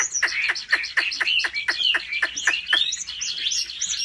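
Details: Caged Chinese hwamei singing in competition at home: fast series of steep down-slurred notes under bright whistled warbles, giving way to looping high phrases.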